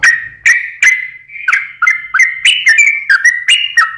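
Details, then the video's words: Sooty-headed bulbul song played as a lure for birds that will not sing: bright whistled notes sliding between two pitches, broken into quick bubbly phrases that grow faster toward the end. "pancingan suara burung trucukan gacor "malas bunyi , bahan dan burung stress langsung ikut gacor"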